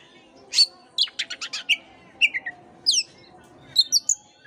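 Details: Oriental magpie-robin song for prompting a dull caged bird to sing: a run of rapid buzzy notes, then rich whistled slurs and sharp chips in quick succession.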